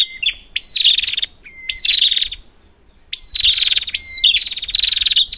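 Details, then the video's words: Prinia used to provoke prinias that have gone quiet. Three bursts of dense, metallic, buzzy trills with sharp upslurred starts and clean low whistles between them. A pause follows the second burst. "Prenjak, Pancingan ampuh untuk burung prenjak macet"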